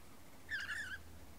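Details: Lorikeet during a dominance display: one short, tonal, slightly wavering call lasting about half a second, steady at mid-high pitch with faint higher overtones, against low background hum.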